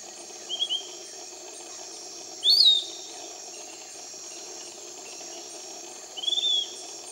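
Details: Piratic Flycatcher in tropical rainforest near Iquitos, Peru, giving three brief, thin, high whistled notes a few seconds apart, over a steady hiss of insects.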